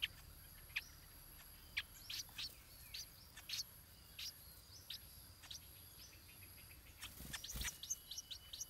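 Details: Nestling stripe-throated bulbul being fed by its parents, giving scattered thin high chirps, sometimes in quick pairs, then a denser run near the end, interrupted by one brief dull knock.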